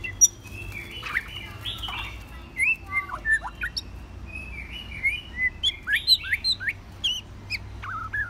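A white-rumped shama sings a rich, varied run of clear whistles, slurred rising and falling notes and quick chirps, delivered in bursts over a low steady hum.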